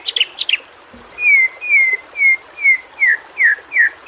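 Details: Training song of a white-rumped shama (murai batu) used to coax quiet birds into singing: a few high chips, then a steady series of clear, down-slurred whistles repeated about every half second.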